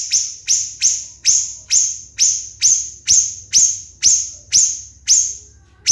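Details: Siri-siri bird on a training recording for contest songbirds, giving a steady series of about a dozen shrill, high notes, each sharply falling and ringing, spaced roughly half a second apart.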